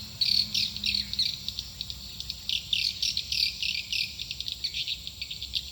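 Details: Swiftlet lure call for a nest building, a fast string of high, sharp chirps about three per second, some louder bursts, over faint background hum.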